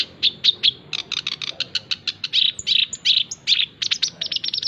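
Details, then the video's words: Male black-browed reed warbler in full song: rapid bursts of harsh, buzzy chattering notes, about two or three a second, interspersed with brief sharper whistled accents, continuous throughout. "Masteran Dan Pancingan Bunyi Burung Kerak Basi Alis hitam (SINCHAN) Jantan Gacor"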